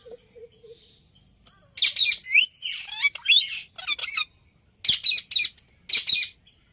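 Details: Ringneck parrot chirping and squawking steadily, a string of harsh, high, buzzy notes in quick succession, then short paired bursts toward the end.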